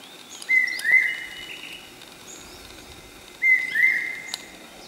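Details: Common hawk-cuckoo (Brainfever bird) calling at Okhrey, West Sikkim: loud, shrill whistled phrases, a short note then a longer slurred one, repeated about every three seconds over faint background hiss.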